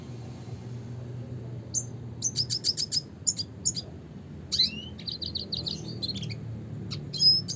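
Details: Red siskin (Spinus cucullatus) singing a classic song: bursts of high, rapid chirped notes and short twittering trills, with a rising slurred whistle mid-phrase and a low steady hum beneath.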